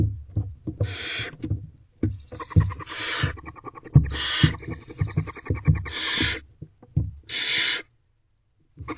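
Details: Several barn owl owlets in a nest box shortly before 2 am, late April 2023, pushing to reach their mother, who may have brought a mouse. Broad rasping hisses alternate with frequent dull knocks and shuffling sounds.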